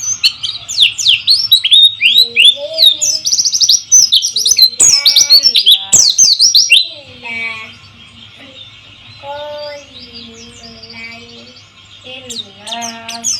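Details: White-eye song, meant to lure silent caged birds into singing, over trickling water: a loud, fast run of high twittering and sweeping chirps for six seconds, then sparser high notes with lower tonal warbles and a soft background hum.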